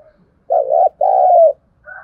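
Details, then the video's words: Lure call of a decoy Spotted dove meant to provoke wild birds: one mellow coo phrase that wobbles, then a longer one gliding down, followed by a faint higher note. "Tiếng chim cu gáy mồi thúc bổi rất sung nghe là ghiền mở lên bổi nghe nhanh nổi"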